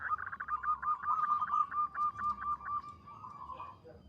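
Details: Moderately distant song of a local zebra dove known for its long, melodious voice: a smooth, rapid trill of bubbling coos held for about three seconds before fading.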